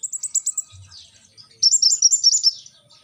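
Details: Brown-throated sunbird song: several crisp high chips open the phrase, a brief lull follows, then a dense rapid twittering run of piercing notes.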